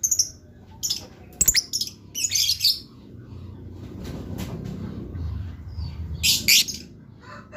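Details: Blue lovebird chattering; repeated high shrill chirps and buzzy bursts, with a low rumbling background noise in the middle and a fresh cluster of loud chirps near the end.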